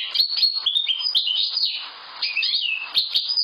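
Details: Linnet song: bursts of quick twittering chirps and short whistled slurs, a brief quieter gap near the middle, then the bright chattering phrases resume.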